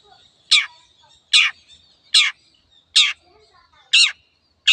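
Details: Long-tailed shrike, "teot teot" song: loud rasping, grating notes repeated at a steady pace of roughly one every eight-tenths of a second, with faint softer notes between.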